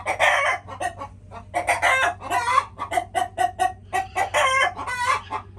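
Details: Busy flock of chickens clucking almost without pause, dense overlapping short clucks mixed with longer nasal squawks, steady low hum beneath.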